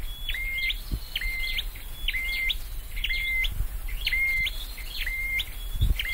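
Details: Scarlet-headed flowerpecker in a cage during singing training, delivering a steadily repeated phrase: quick rising slurs followed by a held flat whistle, about seven phrases over six seconds, faint low thumps beneath.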